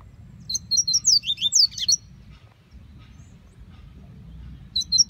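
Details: Rusty-collared seedeater in the scrub, delivering one quick phrase of sweet slurred whistles ending in a buzzy burst, then a pause of nearly three seconds before a new phrase begins; faint low background noise throughout.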